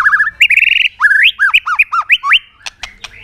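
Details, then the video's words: White-rumped shama song used to provoke other birds into singing: loud, pure whistled notes, a sustained rising tone, then a string of arched, bouncing whistles and sharp clicking notes. "chòe lửa hót tạch liên tục kích thích chim ức chế"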